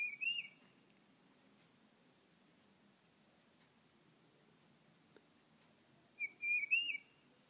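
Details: A tufted titmouse at a backyard bird feeder sings clear, whistled two-note phrases, one burst at the start and a longer repeated run about six seconds later, over a faint low rumble.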